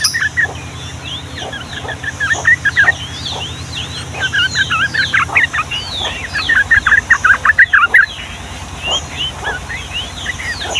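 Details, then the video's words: Trucukan (yellow-vented bulbul) giving a long rapid-fire song, the Ngombak Banyu style, used to coax young birds into singing: fast bubbly chattering notes mixed with thin downslurred whistles, over a steady low hum. "SUARA BURUNG TRUCUKAN GACOR ROPEL PANJANG UNTUK MASTERAN DAN PANCINGAN TRUCUKAN PAUD"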